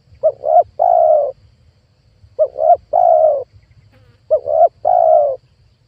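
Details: Spotted dove lure call meant to attract wild doves for trapping, a phrase repeated three times about every two seconds: two quick rising coos followed by a longer, steady, husky coo.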